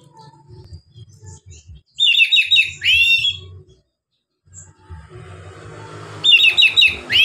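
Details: Relaxed oriental magpie-robin song used to coax lazy magpie-robins into singing: two loud bursts of bright whistled notes and quick rising slurs, separated by a quiet pause with faint low rumbling.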